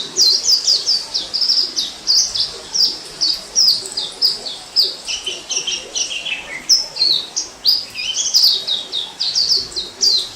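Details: Orange-headed thrush in the wild, 2018, delivering dense high whistles in tight clusters, clipped rising and falling slurs with a brief lower descending phrase near the middle, then the bright rapid notes resume.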